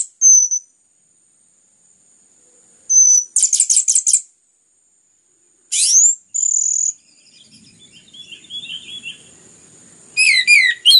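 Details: Orange-headed thrush song meant to provoke other birds: thin high whistles, a burst of buzzy rapid notes, a sharp sweep and steady whistle, then quick rising phrases; faint background rustle mid-clip.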